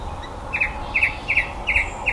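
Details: A male common blackbird that sings at the bottom of a garden every evening copies electronic noises: short, bright, doubled beep-like chirps about every 0.4 seconds, over a faint steady hum.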